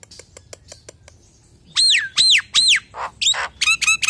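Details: Common hill myna in lure song for other hill mynas: soft ticking clicks, then three loud arched whistles, a harsh burst and quick paired chirping notes.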